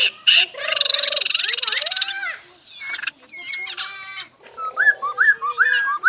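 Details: Laughingthrush singing: an opening rapid buzzy rattle, then varied loud phrases of harsh chatter, and finally a string of short rising whistled notes repeated in quick succession.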